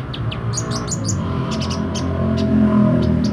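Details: Kolibri ninja sunbird singing actively with open beak, a quick run of sharp, very high chirps and short slurred notes over a loud low hum.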